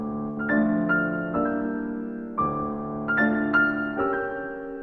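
Gentle piano music with sustained chords and soft melodic notes, and no animal voices.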